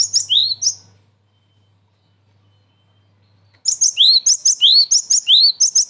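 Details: Cinereous tit calls played to lure wild birds for trapping: a short opening of sharp high notes and one rising whistle, then after a pause a loud, repeated sequence of chirps paired with upward-slurred whistles.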